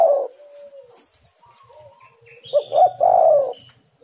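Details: Spotted dove, used as a lure recording to get other doves calling: one loud, low, mellow cooing phrase near the end, with two or three quick notes then a longer rolling coo. A faint coo and soft higher chirps come earlier.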